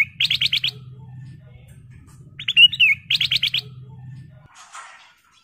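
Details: Sooty-headed bulbul used as a lure bird: rapid bursts of four or five clipped, bright notes, a slurred whistled phrase between them, then another quick burst, all over a steady low background hum.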